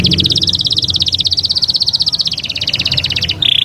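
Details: Taghreed canary song meant to train chicks: a long, fast, high trill of tightly repeated notes, dipping slightly near the end, then closing on a brief steady whistled tone, over faint low hum.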